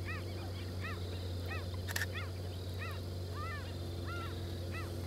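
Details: Crested doradito (Pseudocolopteryx sclateri) calling: short, arched, slightly nasal notes about twice a second, some doubled, over a steady low rumble with one sharp click.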